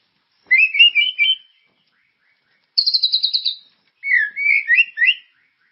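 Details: Characterful white-rumped shama song used to coax caged birds into singing. Three separate bursts: a warbled twittering phrase, a rapid high buzzy trill, then another warbling whistled phrase, with silence between.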